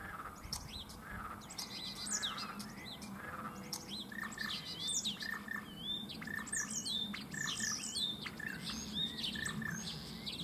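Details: Male common starlings in a cherry tree in Germany, two birds singing in competition and imitating other animals: a dense, nonstop jumble of clicks, squeaky whistles, rising slurs and chattering notes.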